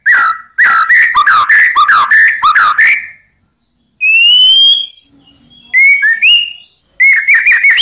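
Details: White-rumped shama song meant to provoke rival birds into answering: a rapid burst of varied whistled slurs, a pause, a long rising whistle, then short upslurred notes.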